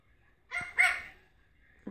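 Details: Indoors, an African grey parrot mimics a dog barking with two quick, harsh bark-like bursts, the second louder and longer, followed by a brief low thump.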